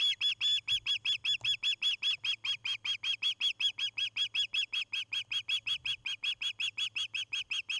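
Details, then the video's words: Evening call of an osprey at its nest in Charlo, Montana, 29 August 2018: a long, even run of piercing, high, slightly down-slurred chirps, repeated almost three times a second over a low steady hum. "Osprey Nest"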